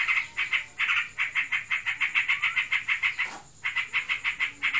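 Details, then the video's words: Pet yellow-vented bulbul in heat giving ngebren song: steady rapid buzzy notes about three per second, with a brief gap before the chatter resumes. "Burungku birahi. Ngebren abiss."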